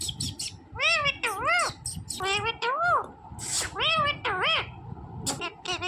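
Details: Smart green parrot talking, repeating arched, sing-song syllables in pairs about every second, high and harmonic, with low indoor rumble and brief hissing clicks.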